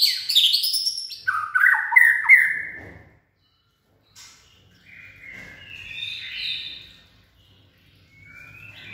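A White-rumped shama sings loud, rich whistled phrases with rapid slurred notes, then pauses and gives softer, higher whistles.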